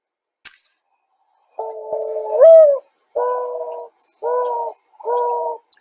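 A Mourning Dove gives a long, low coo that swells upward and slides back down, then three steady hollow coos. Faint clicks sound at the start and end.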